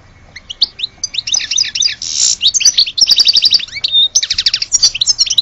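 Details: Fast continuous goldfinch song from an Algerian bird, with rattling trills, a buzzy burst and liquid twitters run together without a break.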